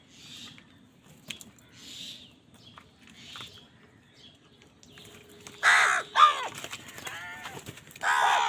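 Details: Crow calling loudly while fighting for food. Quiet background sounds lead into a pair of abrupt harsh caws, then after a pause a final loud rasping caw.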